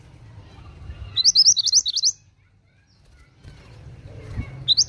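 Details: Oriental magpie-robin singing energetically in short bursts: a fast string of high, sharp rising notes for about a second, a pause with low background noise, then another brief high flurry.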